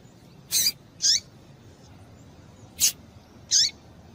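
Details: Female double-collared seedeater giving four sharp, high chip notes, some dropping slightly in pitch, in irregular pairs over a quiet background; these female calls are used to stimulate males to sing.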